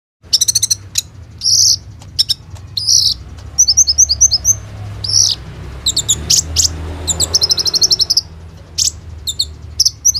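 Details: Kolibri ninja sunbird singing energetically, its song filled with rapid 'roll tembak' phrases, recorded on an Oppo A37f phone as a lure for konin: high sharp chirps and buzzy trilled bursts, with short gaps between them and a low hum underneath.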